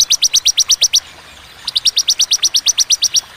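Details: High, clean repeated chips from a bar-winged prinia (ciblek), ciwah cigun style with pauses: a run of eight sharp notes, a short break, then a longer series of about fifteen.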